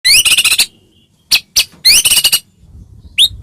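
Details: White-rumped shama of the Medan type, singing loudly as a lure to provoke other shamas: dense bursts of rapid, rich, high chattering notes, separated by short silences and single sharp upswept whistles.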